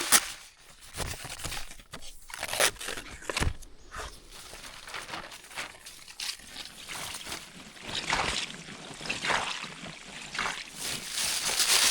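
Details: Crunching and rustling of leaves and branches being handled outdoors, with no animal calls heard.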